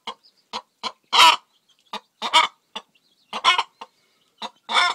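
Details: Faverolles cross hen laying an egg clucks in short, harsh bursts at an uneven pace, with a few louder, drawn-out squawks mixed in; nothing else is heard.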